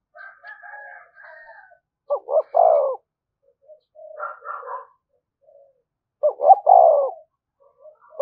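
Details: Thúc gù cooing of a spotted dove played as a lure: two bursts of stuttered notes ending in a drawn-out mellow coo, separated by softer, higher warbled notes from another caller.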